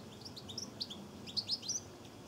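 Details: European goldfinches drinking at a garden bird bath on 23 September 2014, giving quiet, high, tinkling twitters: a scatter of short bright chirps over a low background hum.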